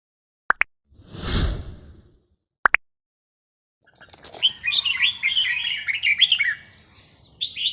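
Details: Red-whiskered bulbul singing during a training session on a free day. Two sharp clicks and a short rushing noise come first, then bright, warbling whistled phrases with quick rising and falling notes run for the last four seconds.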